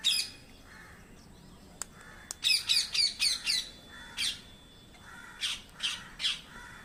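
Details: A parrot lets out a rapid string of shrill, grating squawks in bursts of four or five, then single harsh cries, while duller cawing calls sound farther off in between.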